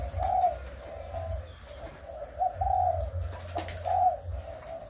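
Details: Breeding spotted doves, Malaysian and Thai types, recorded 23 August 2021, utter soft repeated coos in short bursts, several louder notes standing out, against a low hum and a few clicks.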